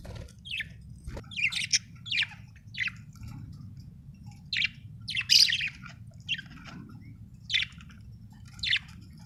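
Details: Budgerigar described as happy, giving short separate chirps spaced about a second apart, each a brief bright tweet, with quiet low background hum between them.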